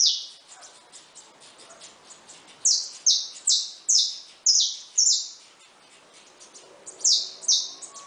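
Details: Saffron finches singing in a cage with newly hatched chicks. Soft twittering, then a burst of about seven loud, high, downward-slurred chirps, a pause, and two more chirps near the end.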